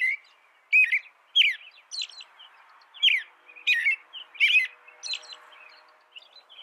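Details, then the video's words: Caroling American robin: a steady series of clear, slurred whistled phrases, each with a faint high squeaky overlay, spaced under a second apart, against a quiet background. "Suara burung american robin"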